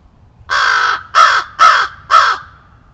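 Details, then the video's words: A crow warning of a coyote, caught on a backyard trail camera; four loud, harsh caws, each about half a second long, spaced roughly half a second apart, in an otherwise quiet setting. "Crow Warns of Coyote!"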